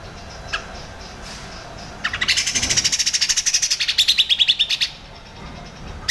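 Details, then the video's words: Crecet-style chatter of a grey-cheeked bulbul (cucak jenggot), recorded as a master song for other songbirds: one steady, rapid trill of about twenty-five evenly spaced harsh notes lasting nearly three seconds, with quiet before and after. "CUCAK JENGGOT CRECET cocok untuk masteran MURAI BATU ,KACER, CUCAK HIJAU"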